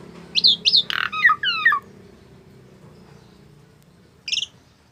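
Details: Tame Asian pied starling giving a quick run of six squawky, downslurred chirps, then a single harsh double note after a pause, over a low background hum.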